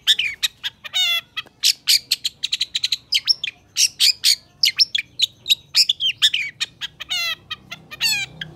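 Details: Long-tailed shrike (cendet) singing gacor, a vigorous training song for lazy shrikes: a dense, fast run of sharp chirps and harsh notes, with several descending laddered trills near the second and eighth seconds. Faint low hum underneath.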